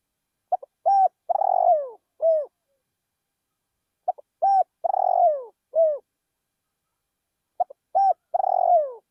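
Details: Spotted dove used as a decoy bird, calling in a rice field: three bouts of clear cooing, each a quick pair of short notes then a long drawn coo falling at the end and a final short coo, repeated about every three and a half seconds.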